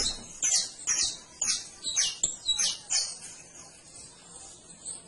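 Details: Singing canary delivering a rapid series of high, sharp chirps roughly twice a second, the phrases trailing off into softer, thinner notes toward the end.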